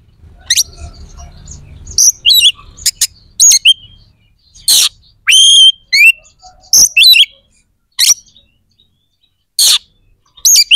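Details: White-rumped shama song aimed at stirring other shamas' aggression and breeding drive: scattered short high bursts, sharp clicks and whistled trills spread over several seconds with gaps of silence.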